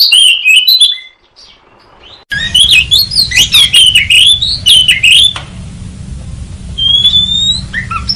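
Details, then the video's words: Oriental magpie-robin used as a trapping lure: a fast, busy run of sharp whistled and scratchy notes that jump up and down in pitch, later thinning to a few long rising whistles over a steady low hum. "Suara Pikat Burung Kacer"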